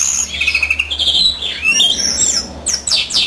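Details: Male European greenfinch singing while the female incubates, a busy run of twittering notes and buzzy trills high in pitch, with rising and falling slurred phrases and a rapid rattling burst near the end.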